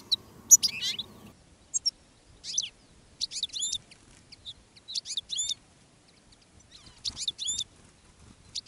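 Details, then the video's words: European goldfinches calling on a field trapping day, a decoy goldfinch and a female goldfinch in a rockrose bush attracting wild ones. High, liquid twittered phrases in short clusters separated by pauses, with a brief low hum at the start. "Jilguero de reclamo jilguera de jarilla y jilgueros de campo"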